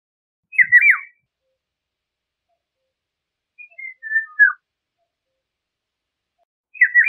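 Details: Song of the Eurasian golden oriole, loud fluted whistles with quick up-and-down inflections, delivered as three separate phrases spaced a few seconds apart, the middle one softer and descending.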